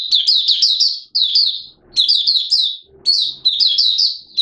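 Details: Malaysian Oriental white-eye (mata puteh) giving its 'buka sing' opening song in Singapore on 29 March 2023, warm humid weather with sudden showers; short high, sweet warbled phrases of quick descending notes, repeated in bursts with brief pauses.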